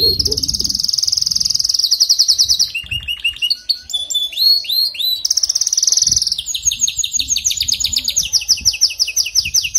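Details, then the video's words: Caged canary singing continuously: rapid rolling trills, buzzy repeated notes, and a run of quick rising whistled slurs, with a sustained bright high note held for seconds and faint low background thuds. "كناري ضعيف في تغريد سمعه هذا الغناء"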